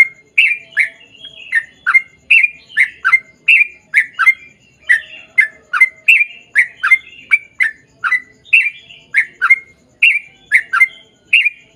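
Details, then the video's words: Sooty-headed bulbul in lively, long ropel panjang song, used to lure other bulbuls to sing. An unbroken, rhythmic series of bubbly, slurred chirps, about two per second, steady throughout. "KICAU SUARA trucukan gacor ROPEL PANJANG"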